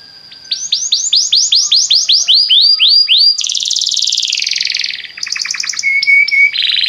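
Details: Belgian canary song, used to get other canaries singing nonstop: a run of about fourteen quick arched whistled notes, then a dense buzzy trill lasting nearly two seconds, ending in rapid clicking pulses and short sustained high tones.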